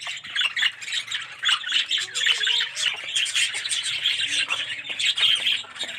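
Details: Aviary colony of yellow budgerigars with red eyes, a steady wash of high chirping and chattering from numerous birds, broken by scratchy squawks and some lower rising and falling notes.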